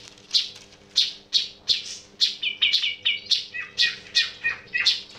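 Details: Unusual sound from a sooty-headed bulbul: bright high chirps at first, then a run of quicker warbled notes in a lower, twangy register, separated by brief pauses, over a faint low hum.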